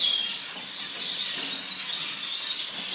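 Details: Several orange zebra finches calling together: a busy wash of thin, high twittering notes with a few brief sharp squeaks standing out above the steady chatter.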